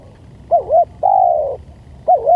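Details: Spotted dove lure call, one full phrase of two quick coos and a long drawn coo, then a fresh double coo beginning as the next phrase starts.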